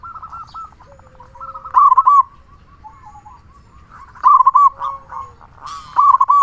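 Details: Local zebra dove with a big voice, singing often, used as a lure to stimulate other zebra doves to sing. Three short bursts of quick, rolling coo notes over a faint bed of softer cooing.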